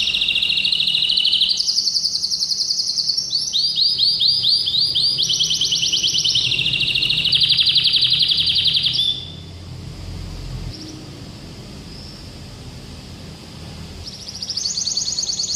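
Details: Orange domestic canary under daily training delivering bright, metallic, harmonious song with varied notes: rapid trills that shift pitch step by step, a run of fast rolling phrases, then a quiet stretch before a high trill resumes near the end.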